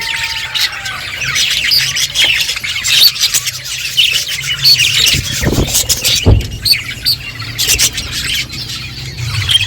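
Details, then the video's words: Budgies chatter and chirp while eating, with sharp clicks and faint whistles, a low hum throughout and a couple of dull knocks. "Beautiful budgies colour eating and chirping sounds"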